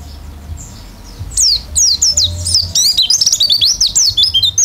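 An Oriental white-eye sings a rapid, high, twittering song of thin slurred whistles that rise and fall, run together in a lively, almost continuous stream.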